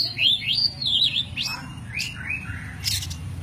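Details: Oriental magpie-robin of the white-breasted form called kacer poci, in a master recording for training songbirds: quick, clear whistled phrases that rise and fall, then lower slurred notes, over a low hum.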